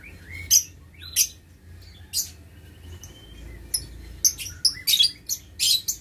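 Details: Aviary lovebirds in a breeding enclosure, 6 November 2022, giving harsh, piercing shrieks, first spaced about a second apart and then crowding into a rapid volley of screeches near the end.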